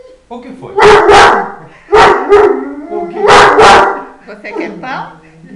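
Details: Fila Brasileiro dog attacking: deep, loud barks, mostly paired, roughly every second or so, with snarling between them; human speech mixed in.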